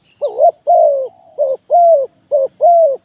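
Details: Decoy spotted dove calling to draw in wild doves, giving three paired phrases, each a short wavering coo followed by a longer, smooth, gently arching coo, repeated about once a second in a clean, quiet setting.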